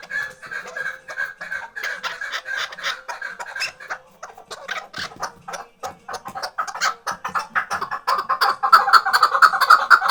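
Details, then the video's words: Chukar partridge of the Khoja Mumin salt mountain, kept tethered for hunting, giving a long run of clucking chuk notes that starts irregular, briefly thins out, then grows louder and more insistent toward the end. "Кабки побанди"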